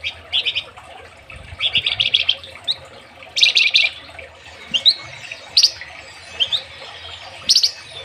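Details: Flamboyan songbird recorded in Indonesia as master material for training other songbirds: scattered short, high chirps and brief fast twittering bursts, with sharp upswept whistles spaced irregularly over a faint background hiss.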